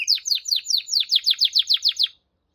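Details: Canary delivering a steady series of about twelve sweeping descending notes, evenly spaced, then silence.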